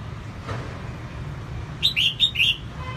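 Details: Singing female red-whiskered bulbul, used to excite males: after a quiet start, a quick phrase of four bright, slurred whistled notes in under a second, over a continuous low rumble.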